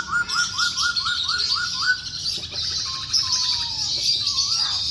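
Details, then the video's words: Energetic masked laughingthrush song meant to stir quiet birds into singing: a steady train of eight bouncy whistled notes, then rattling trills and a falling whistle over a constant high hiss. "KICAU BURUNG POKSAY HONGKONG GACOR"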